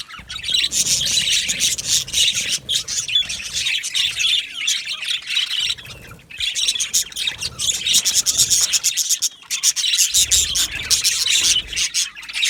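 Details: Aviary colony of Australian budgerigars, a loud, dense chorus of chirps, squawks and warbled chatter that surges in waves, dipping briefly around the middle and near the end.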